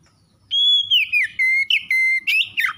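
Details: Oriental magpie-robin (kacer) singing one phrase of pure whistles: a long steady high note, then a fall, a lower held note and quick upward flicks, over faint low background noise.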